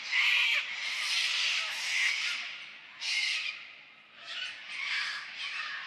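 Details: A big flock of cockatoos in mountain ash and tree fern forest near Sherbrooke Falls, Dandenong Ranges National Park, Victoria, Australia, screeching together, harsh broad raspy squawks overlapping in bursts about once a second, one after another with no clear pattern.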